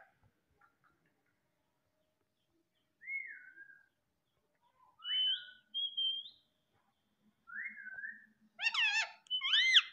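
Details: Pet female Indian ringneck parakeet that talks in Hindi: spaced clear whistled notes, some falling, some rising, about four over several seconds, then a dense burst of harsh harmonic squawks at the end in a quiet room.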